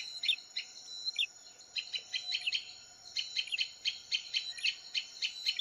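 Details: Male and female bar-winged prinias calling noisily to each other as a lure recording; sharp chipping notes in bursts and clusters, with a steady high electronic hum running underneath.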